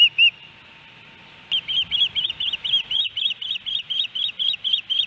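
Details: Osprey at a nest in Hellgate Canyon, Missoula, Montana, July 13, 2018, a three-fish day; two brief chirps, a pause, then a run of quieter whistled notes repeated several times per second.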